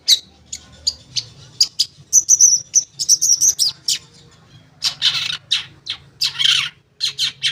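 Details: Long-tailed shrike singing, played to coax silent shrikes into song: thin, high whistled notes and trills in the first half, giving way to a run of loud, harsh chattering bursts.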